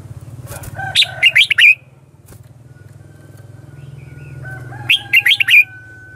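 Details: Red-whiskered bulbul fighting song, 'ché chéc' style, played to lure wild birds: two lively phrases of five or six quick up-and-down notes, about four seconds apart, over a low steady hum.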